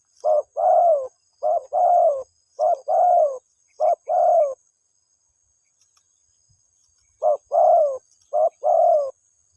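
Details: Spotted dove calling its mate: low soft cooing phrases, each a short note followed by a longer falling coo, given three times, then a silent gap of about three seconds before two more phrases.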